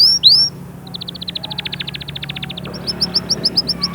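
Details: Canary singing, meant to push chicks into song and ready females for breeding: a quick slurred note, then a rapid series of short high pulses and a run of sharp rising chirps over faint background hum.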